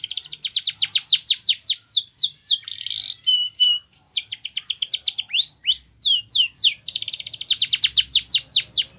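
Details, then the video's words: Spanish Timbrado canary delivering a powerful training song, with continuous high rapid trills, a short buzzy passage, a few flat whistled notes, and long runs of steeply falling notes, very clean background. "Canary's Most Powerful Song For Training"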